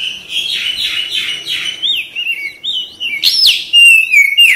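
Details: White-rumped shama (kacer) song for prompting a caged bird to sing and fan its tail: rapid buzzy notes at first, then clear whistles gliding and dropping, with a sharp high upward sweep.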